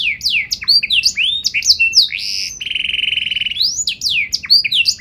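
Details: Vigorous canary song with a special melodic style, made of varied sharp sweeping chirps around a steady buzzing trill in the middle, then more quick slurred notes.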